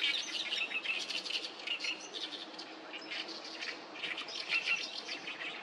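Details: Oriental reed warbler at Sawatari River on 7 June 2024, among many noisily calling birds. It gives harsh, chattering song phrases of rapid, scratchy, mostly high notes, with other small birds chirping faintly behind.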